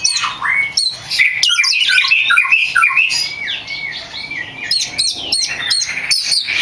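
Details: Champion oriental magpie-robin (kacer) in full, chatty song for training other kacer: rapid, varied chirps and whistled slurs tumbling up and down, with dense clusters of sharp high notes about every half second and brief pauses.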